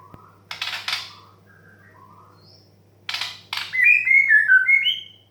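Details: White-rumped shama in 'desahan' (sighing) song style, used to encourage young, stressed and untrained birds to sing. Scattered soft whistles and harsh rasping bursts lead into a loud run of sliding whistled notes ending on a rising note.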